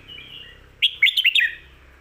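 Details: Red-whiskered bulbul singing a 'stir-fried noodle' or 'bottle-shaking' style song, meant for training caged birds at home: a faint warble, then a bright burst of five or six bouncy whistled notes that drop at the end.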